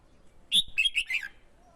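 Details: A caged male red-whiskered bulbul, stirred by a female to sing in contest and call in wild birds, gives one brief phrase: a loud high note followed by three quick, dropping warbled syllables.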